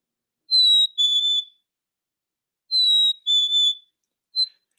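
A Black-capped Chickadee whistles its clear two-note fee-bee, the second note slightly lower, given twice with a brief start of a third, in otherwise quiet air.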